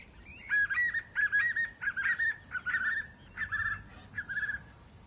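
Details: White-eared puffbird singing on 23/06/2023 at Cavas de Areia, Univap, São José dos Campos, São Paulo, Brazil, a rolling series of short, mid-pitched whistled phrases, about one and a half per second, over a steady high insect drone.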